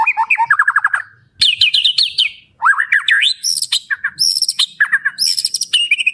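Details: White-rumped shama singing a full varied repertoire: quick descending note series, bright high whistled runs and looping slurred phrases, with short pauses between bursts.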